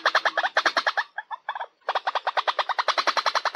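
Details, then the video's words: White-breasted waterhen calling as a lure to draw birds in: rapid, loud chattering bursts of nasal notes, many per second, broken by a brief pause before the stream resumes. "SUARA BURUNG RUAK-RUAK PENARIK"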